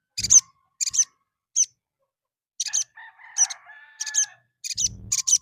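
Little spiderhunter giving sharp, very high chipping notes in short bursts at uneven intervals, with a brief lower warbling phrase in the middle.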